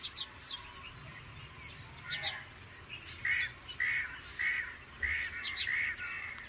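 A Bank Myna gives harsh, scratchy calls, repeated about twice a second in a short chattering run, after a few scattered squawks. Faint background noise throughout.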